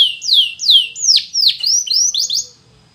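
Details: Spanish Timbrado canary song for training: loud falling slurred whistles, about two per second, quickening into short notes before stopping.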